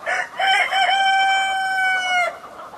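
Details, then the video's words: In spring, a rooster excited after an old hen was given an egg to sit on crows once: a few choppy opening notes, then a long, steady, strained cry held for nearly two seconds before cutting off. "the rooster got excited too, for a LONnngggg time."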